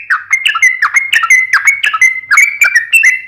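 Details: Sooty-headed bulbul in vigorous, fighting-style rapid song: bubbly whistled notes around a steady high tone, with short chirps repeating more than once a second and no other sounds.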